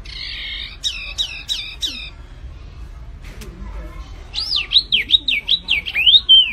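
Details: Bird said to sound like a flamboyan, singing vigorously (gacor): three thin buzzy stacked notes, then four quick chirps, a pause, and a loud run of rising-and-falling whistled swoops. Low background rumble.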